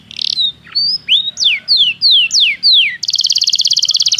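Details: Belgian canary singing for training: a string of separate, clear down-slurred whistles at an even pace, then a sudden shift into a fast, buzzy high trill.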